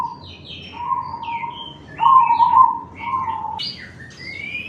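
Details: Cemani zebra dove with a large voice, calling to draw answers from other doves. Three low, rippling coo phrases come in close sequence, the middle one loudest. Busy high chirps and rising whistles from other birds overlap throughout.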